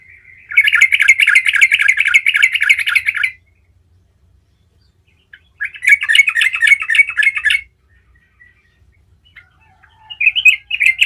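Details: Yellow-vented bulbul (Pycnonotus goiavier) in lively rolling song used to prompt other bulbuls to answer: three bursts of rapid, bubbly chattering notes, each two to three seconds, separated by short silences.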